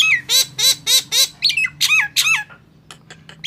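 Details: Harsh, honking squawks repeated about four times a second from a Nias hill myna, then two swooping whistles and a few faint clicks as the sound tails off.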